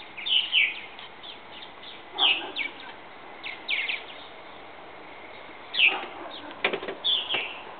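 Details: Purple martin fledglings leaving their bird house nest for first flights; bursts of bright high chirps in small clusters, with soft flapping wingbeats and a few clicking knocks near the end.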